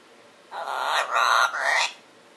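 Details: Sleep-talking pet parrot giving a single three-part vocal phrase, rough and speech-like with a rising tone at the end, against a quiet background.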